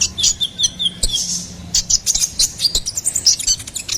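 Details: Ruby-cheeked sunbird, locally called kolibri ninja, singing a gacoran-style master song: a dense jumble of very high chattering notes with brief faint trills, fairly continuous over several seconds.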